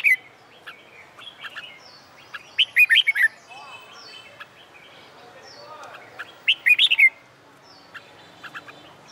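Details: Red-whiskered bulbul singing in summer sun for song-contest practice; two main phrases of quick, bright whistled notes near three and seven seconds, with scattered softer chirps and faint background calls between them.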